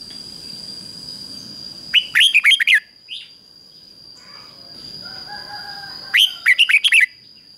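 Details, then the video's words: Red-whiskered bulbul used as a decoy, singing 'ché' to call wild birds in to fight: two short warbled phrases of five to six rapid notes about four seconds apart, with faint whistles and a constant high hum between them. "Chào mào mồi HÓT CHÉ GỌI BỔI CĂNG ĐÉT"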